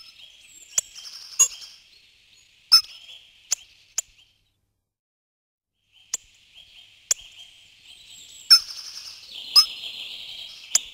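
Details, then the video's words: Tawny Pipit (Anthus campestris), a rare or passage bird in Corrèze, France, calling: high, thin chirruping notes around a steady buzzy band, with sharp clicks scattered through and a short silent gap midway. "Pipit rousseline-Anthus campestris"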